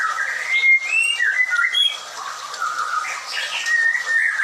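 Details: Caged white-rumped shama at a bird farm: continuous whistled song of short slurred notes, with a few very high thin tones and softer warbling toward the end.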